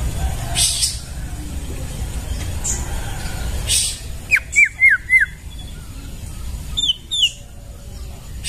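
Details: Forest recording of a white-rumped shama: after rustling noise, four sharp descending whistled notes in quick succession, then two higher slurred notes, over steady background hiss.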